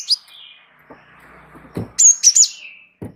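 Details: Gelatik wingko Java sparrow delivering rolling lure song for training other birds: an opening chirp, trailing twitter, then three bright high chirps, with occasional dull knocks in the background.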